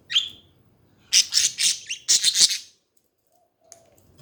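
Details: Budgerigar chatter indoors: a single sharp chirp followed by a rapid run of loud, scratchy, warbling notes for about a second and a half, then faint chirps.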